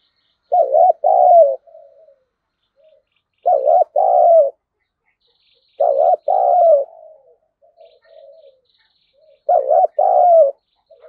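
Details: Lure spotted dove calling to provoke wild birds to fight; strong low two-part coos recur about every three seconds, each followed by quieter trailing coo notes, in an otherwise quiet setting.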